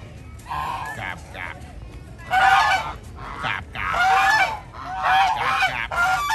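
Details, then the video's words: Park geese moving about as a flock, producing loud harsh honks in bursts that build into a noisy chorus of several birds calling together. "The flock of geese is wandering around in the park | Đàn Ngỗng đang dạo chơi trong công viên"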